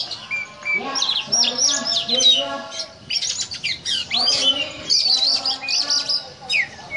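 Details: Yakuza oriental magpie-robin in cobra-style 'ngobra' song: several loud phrases of high whistles, sharp chips and buzzy trills, separated by brief pauses, with harsh lower notes.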